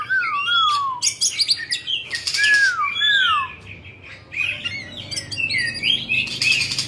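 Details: Oriental magpie-robin, a caged 'Bạch Bạng' bird, sings while fanning its tail. Repeated clear whistles swoop downward, mixed with bright chirps and rapid trills, over a faint low background rumble.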